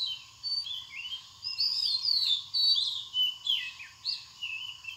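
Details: High thin chirps and quick slurred twitters from a purple sunbird, Cinnyris asiaticus, in Bangladesh, coming in irregular bursts separated by short gaps, with a soft steady hum in the background.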